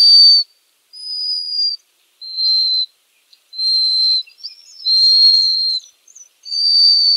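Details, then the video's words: Black guillemot giving thin, high, slightly hissing whistles, about six drawn-out notes in seven seconds, with short pauses between them and no other sounds. "Чистик. Голоса птиц"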